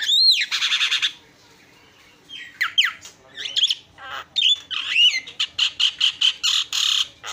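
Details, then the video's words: Javan myna in full, active song, used as isian (fill-in) material and as a master recording to teach other birds and prompt them to sing. Harsh buzzy bursts, then whistled rising and falling sweeps and fast repeated chattering notes, with short gaps between phrases. "SUARA ISIAN..!! JALAK KEBO PALING KRENN"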